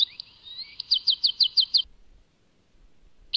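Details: Goldfinch linked to Tadmait: a few soft rising whistles followed by a short run of six evenly spaced sharp chirps, then near silence before another note begins.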